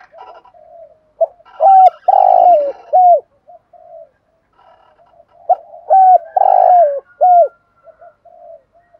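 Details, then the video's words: Decoy spotted dove calling to stir up wild doves. Two low, mellow cooing phrases about four seconds apart. Each begins with soft lead-in notes, then three louder hooked coos, the middle one longest. The background is quiet. "chim cu moi thuc gu gay goi. chim cu gáy kích bổi"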